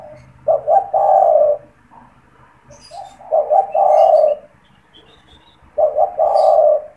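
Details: Spotted dove in a cage, cooing steadily as a calling bird to lure wild doves; three rolling phrases about every two and a half seconds, each with two short notes and a long coo, light chirping from other birds.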